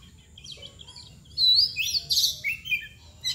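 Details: Oriental magpie-robin (kacer) singing in the 'mbagong' style, shown in a crouching 'nangkur' display. Loud whistled and slurred phrases sweep between high and very high notes in quick bursts, with some sharp chattering notes and faint background hiss.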